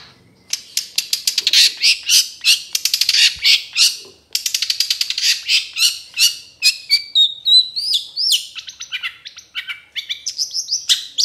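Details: Long-tailed Shrike (cendet trotol) song used as a training recording for other birds, full of varied fills: dense rapid trains of harsh high chirps, about 200 per minute, then sparser bright whistled and slurred notes, clean quiet background.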